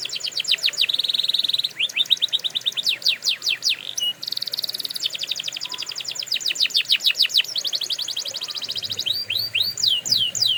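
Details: Canary singing for coaching young birds: continuous high song alternating trains of sweeping downslurred notes with flat buzzing rolls, ending in slower looping whistles.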